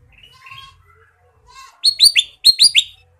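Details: Kutilang emas, the Ruby-throated bulbul, singing full isian. Quiet short whistles lead into two loud bursts of three rapid, ringing downslurred notes each, separated by a brief pause. The recording is otherwise clean.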